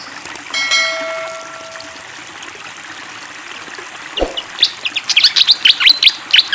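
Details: Fantail flycatcher with flowing water: a steady watery hiss and a brief flat humming tone at first, then a thud, then fast high chirps and swooping whistles pouring out over the last two seconds.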